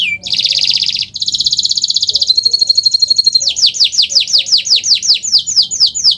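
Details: Nusantara canary singing as a master recording meant to coax non-singing canaries: a short falling note, long dense buzzy trills, a thin sustained tone, then a fast series of repeated downward-sweeping whistles.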